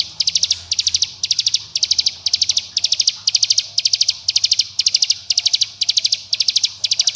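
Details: Bar-winged prinia calling companions and provoking rivals, used to prompt young birds: very regular series of short, high, dry note bursts about every half second.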